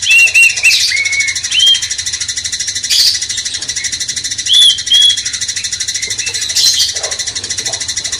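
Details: Sooty-headed Bulbul master song for stirring a magpie-robin: scattered short whistled notes and soft chirps separated by gaps, with a persistent hiss throughout.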